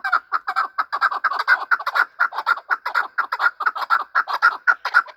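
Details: Chukar partridge in a fight, repeating loud, even clucking chuck notes at a steady pace of about two per second with little pause.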